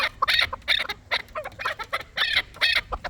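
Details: Short burst of quick, throaty chuk-chuk notes from a chukar partridge, uneven in spacing and loudness.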